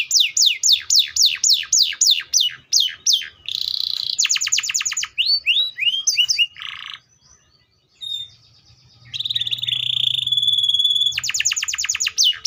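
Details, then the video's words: Canary song: a run of fast falling sweeps, a buzzy trill, varied short whistled phrases, a brief pause, then a steady high trilled note and a final burst of rapid descending notes. "THE VOICE OF THE CANARIA SERINUS"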